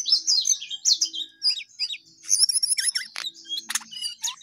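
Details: Sooty-headed bulbul in lively, continuous song: dense, rapid twittering and chirping phrases, mostly high-pitched, with sharp upward flicks and a few lower whistled notes near the end; quiet background.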